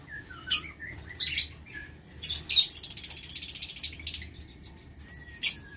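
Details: Aviary lovebirds on 6 November 2022 giving rasping, shrill screeches and a fast ratcheting chatter, broken by short pauses and a few sharp single chips.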